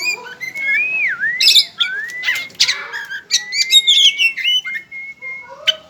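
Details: Caged pet white-rumped shama singing a varied run of clear whistles, including a looping slurred note and long level whistles, mixed with sharp clicks and buzzy chatters.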